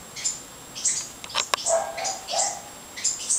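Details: Fledgling house wrens leaving their nest give quick, high, sharp chirps in uneven bursts, some doubled, with a few softer lower notes mixed in and a constant faint high-pitched hum in the background.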